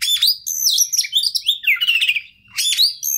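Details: Oriental magpie-robin song played to prompt a stressed bird to sing: a rich, continuous stream of high sweet whistles and sliding notes, a short pause, then another bright phrase.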